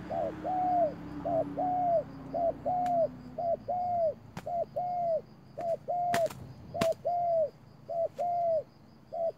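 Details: Spotted dove used as a decoy bird in a trap, calling very fast: a rapid run of short, arched, mid-pitched cooing notes, about fifteen in nine seconds, some in quick pairs, with a few sharp clicks.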